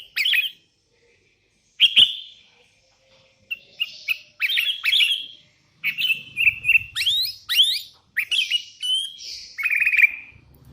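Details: Lively sooty-headed bulbul calling to challenge rivals, answered by wild bulbuls; dense bursts of bubbling, slurred whistles and chirps in quick succession, pausing briefly near the start, with some low background rumble.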